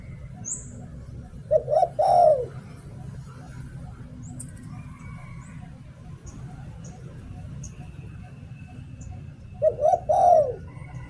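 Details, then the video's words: Spotted dove decoy bird giving two "liu tan" song phrases about eight seconds apart. Each is a quick coo pair and a slurred descending coo, over low background hum with scattered faint clicks. "เสียง "หลิ่วตัน" นกต่อ"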